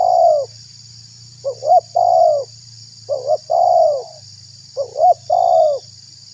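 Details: Lure recording of a spotted dove to attract wild doves and make others react: three phrases about two seconds apart, each two rising hoots then a long falling coo, over a low hum and a high hiss.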